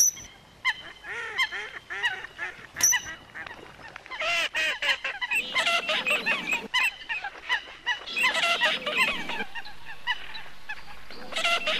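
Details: Coot calling: a run of short, nasal honks repeated roughly every half second at first, then dense, harsh bursts of overlapping calls, with faint high twittering behind.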